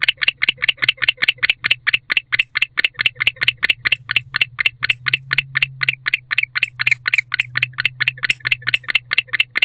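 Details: Male barn owl chirping as he enters the nest box on an October evening, part of a bonded pair's winter courtship: a long, steady train of short harsh ticking chirps, roughly four per second, over a faint low hum.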